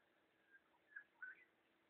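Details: Red wattlebird call recorded 21 September 2012: a faint lead-in note, then two fuller whistled notes a quarter second apart, the last drawn out and slightly rising, against soft constant background noise.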